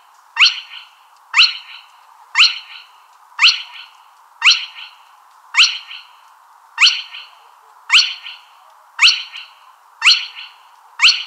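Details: Spotted crake uttering a long series of eleven sharp upslurred whistles, roughly one per second, each abrupt and bright with a short harsh afterglow, steady and insistent.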